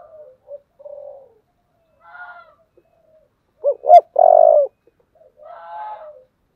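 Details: Spotted dove cooing in the Vietnamese 'giọng thổ' voice style: soft low coos at first, then a loud burst of two short rising notes followed by a longer, steady hollow coo, then fainter, rougher coos trailing off; otherwise quiet.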